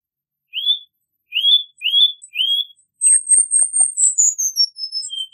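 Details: Song of the Cuban bullfinch, one of its song variations: four rising slurred whistles about half a second apart, followed by a long, thin, very high buzzy trill that breaks into descending whistled fragments.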